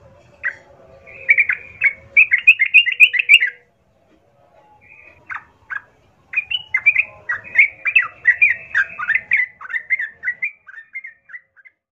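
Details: Lure song of a sooty-headed bulbul, played to draw rival bulbuls into answering and fighting: two long runs of rapid chattering, bubbly notes separated by a few seconds of quiet.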